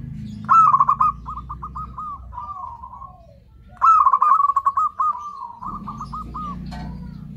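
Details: Lure call of a zebra dove for attracting others of its kind: two long phrases, each opening with a loud rapid stutter of clipped notes and trailing into a softer, rolling, descending coo, low rumble beneath.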